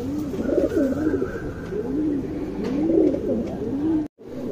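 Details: Young tournament pigeons kept by a fancier in Bangalore, India, cooing: low, wavering coos rising and falling in rolling phrases, repeated through the recording over a steady background hum, with a brief silent break near the end.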